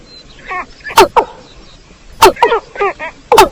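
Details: Watercock of the rice fields, recorded as a trapping lure: a few loud, abrupt knocking notes about a second apart, with softer nasal, stacked croaking phrases in between.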